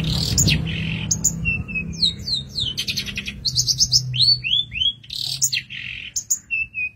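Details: Long-tailed shrike song used as a master recording for training songbirds, in the lavish 'tembakan' style: a varied run of sharp high chirps, short descending whistles and quick rattling bursts, with a low rumble underneath.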